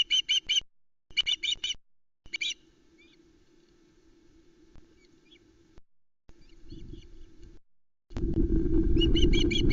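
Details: Osprey chicks on the Loch Arkaig nest, 19 July 2020, during a trout delivery; several short bursts of rapid high piping at the start and end, quieter scattered notes between, then loud wind rumble.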